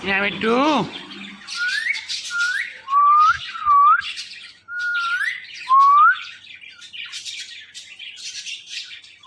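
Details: Pet male Indian ringneck parakeet starts with a harmonic squawk, then gives a series of six loud, short, upward-sliding whistles about a second apart, with faint chattering between them.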